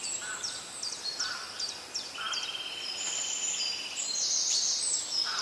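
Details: Wild birds singing in nature: repeated high downslurred chips, a long even mid-pitched trill and bright high whistles overlapping, with constant background hiss.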